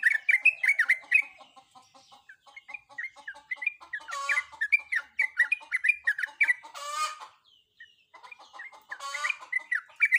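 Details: Female sooty-headed bulbul in breeding condition calling for a male: dense, busy chattering of short slurred notes, broken by loud harsh buzzy bursts, with a short gap near the end.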